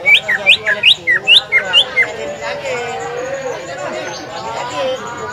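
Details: Green leafbird (cucak ijo), recorded at a bird-song training contest in Semparuk and used as a lure to provoke other birds to sing, gives a rapid run of about eight sharp, rising whistles in two seconds, followed by crowd chatter.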